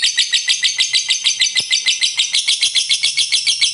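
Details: Fighter lovebird in ngekek panjang, the long chatter played to stir other lovebirds to sing: an even, machine-like run of shrill rasping notes, about five per second, sustained without pause.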